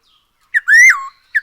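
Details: Black-throated laughingthrush song, used as a lure to get birds singing; a short whistled note, then a long loud rising whistle that drops sharply at its end, followed by another brief note.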